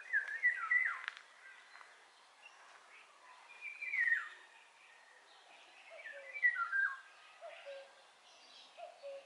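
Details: Eurasian golden oriole singing: rich, fluty whistled phrases that slur downward, given roughly every two to three seconds, with softer low mellow notes between phrases and faint background birdsong.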